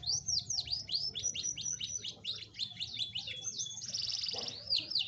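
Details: Canary singing as a prompt for a lazy caged bird: loud, rapid string of repeated downslurred whistles, about four per second, breaking into a dense high rolling trill and a final swoop.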